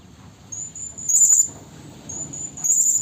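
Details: Female Blue-crowned hanging parrot calling a male, used as a trapping lure: a very high thin whistle rising into two shrill piercing bursts over a soft rumbling background.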